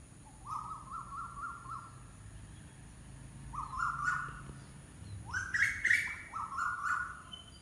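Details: Bird gives a rapid series of five nasal, harmonic notes in a steady rhythm, pauses, then delivers louder rising whistled notes in short bursts. Faint hum and hiss underneath.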